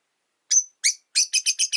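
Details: Rosy-faced lovebirds in a window-side cage, five birds in all: a quick series of sharp, high, harsh chirps, first spaced, then a rapid run of five evenly repeated notes.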